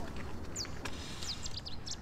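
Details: Bearded reedling calling from reeds in a marsh at Kromslootpark, Almere, in September, one of three or four birds: a few thin, high metallic pinging notes in quick succession, faint above a steady low roar of motorway traffic.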